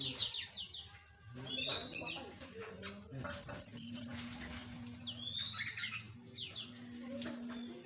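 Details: Small aviary birds tweet and whistle in rapid bursts, including long rising slurs and a sustained high trilled note, over a faint low hum.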